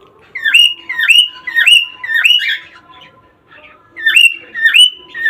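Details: Cockatiel song played to encourage mating: clear whistled notes that sweep upward and then hold level, repeated roughly every half second in short runs, with a quiet pause midway.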